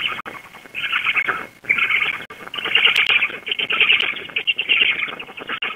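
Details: At a Black stork nest near Łódź, Poland, on the evening of 16 June 2021, the female feeds her chicks. Webcam audio carries rapid, wheezy, scratchy bursts, about one a second, and a constant thin tone behind them.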